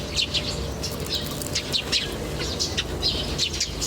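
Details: Birdsong in nature: sharp, high chirps repeated in quick clusters, some doubled, continuing across the whole stretch above a low steady background noise.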